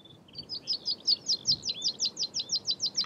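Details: A meadow pipit (Anthus p. pratensis) at Uitkerkse Polder, Belgium, in April 2019 gives a quick run of thin, high, sharp notes, about five a second, over a faint background hiss.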